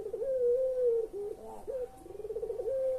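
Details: Puter pelung collared dove, a recording to get quiet birds calling: a long even coo ending in a dip, short hooked notes, then a fresh throbbing trill rising into another sustained coo.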